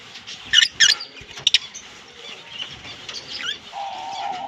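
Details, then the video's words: Green Fischer's lovebirds, a kissing pair, giving loud rapid high chirps in two quick bursts, then softer twittering chatter, ending with a steady mid-pitched whistle. "Lovebird Singing & Chirping Sounds - Green Fischer Pair"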